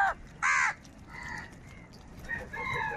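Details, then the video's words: Several crows squabble and fight over food, giving two loud, harsh caws in quick succession, then softer nasal calls from several birds; crow calls. "Crow Sound Crow ki Awaz Loudly | Crow bird Fight for Food | Angry kauwa ki awaaz"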